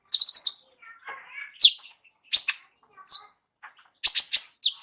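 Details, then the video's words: Van Hasselt's sunbird, a tutor bird for other songbirds with a rich repertoire, giving clustered high chips and sharp downslurred notes between pauses, with a faint lower rustling murmur in between. "KOLIBRI NINJA MEWAH ISIAN LENGKAP COCOK JADI GURU VOKAL UNTUK BURUNG JAGOAN KALIAN"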